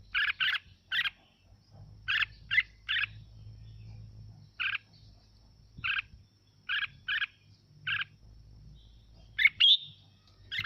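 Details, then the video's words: Red-whiskered bulbul singing, played to excite other birds into singing along. It gives a lively series of short, clipped notes, sometimes in quick pairs, with gaps of about a second and a faint low hum behind. "Mào Mộc Hót Hay Kích Chim Hót Theo Để Lên Lửa"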